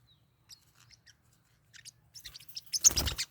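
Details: Pet Forpus parrotlets fighting: scattered thin, high chirps build into a loud, harsh burst of rapid squabbling notes with scuffling noise over the last half second.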